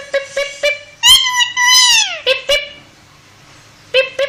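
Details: Talking parrot produces three short clipped notes, then a long drawn-out vocalization that slides downward at the end, two more quick syllables, a pause, and two final short bursts, all in a small indoor space.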